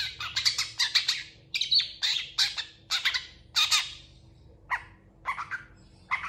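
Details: Long-tailed shrike in long, energetic singing bursts, answered by other shrikes: loud harsh grating notes in quick clusters with brief gaps, some with thin whistled tones, over faint low hum.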